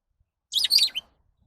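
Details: A single lovebird call, a rapid, shrill, twittering burst of high notes lasting about half a second.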